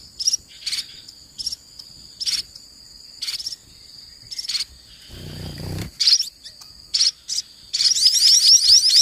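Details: Sparrows in Indonesia, a mother feeding her chicks toward evening, giving them more feeds before night; high, bright chirps come in short bursts about every second, then a rapid rasping chatter at the end, with a brief low rumble midway.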